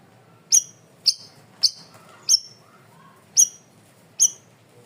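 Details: Loud, clear masteran recording of a cream-vented bulbul: six piercing high chirps, each a quick falling note, about one every half second with a gap in the middle. Faint lower background sounds are present.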